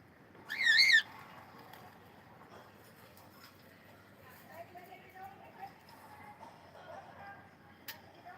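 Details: Cockatiel giving one loud, sharp, rising-and-falling chirp with a rich harmonic buzz near the start, followed by a few soft, scattered chirps over quiet background noise.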